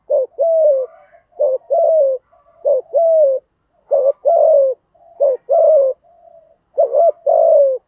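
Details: A lure spotted dove calls to stir up wild doves, in the "thổ" voice style with "thúc gù" cooing. Paired coos repeat steadily, each a brief note followed by a drawn-out coo that slurs downward, with short pauses between phrases.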